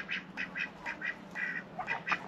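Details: Two domestic ducks, hatched the previous year and said to be Indian Runners though probably not purebred, give a quick string of short, nasal quacks, about three or four a second, over a low rumble, at a snowy winter farmyard.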